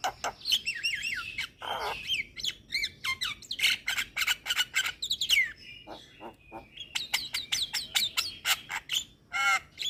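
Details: Javan myna song meant as lure and therapy for moulting mynas: a busy mix of harsh squawks, looping whistles and sharp clicks, with a low buzzy rasp near the start.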